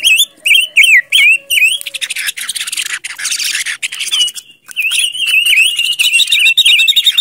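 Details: Silver-eared mesia lure recording: quick, bright whistled phrases that warble up and down, several each second, broken by a burst of harsh, scratchy chatter midway.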